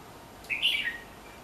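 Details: Red-whiskered bulbul near a house giving one brief, cheerful whistled phrase of a few tumbling notes that drop at the end, against a quiet backdrop.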